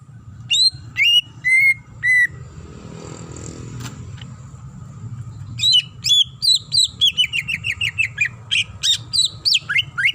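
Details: Female greater green leafbird calling for the male: a few separated ringing whistles, a short pause, then a fast, varied chattering run of sharp descending chirps repeated many times.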